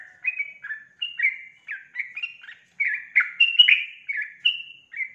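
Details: Female sooty-headed bulbul calling to lure a male: a steady series of short, liquid, slurred notes about three per second, some louder, falling phrases.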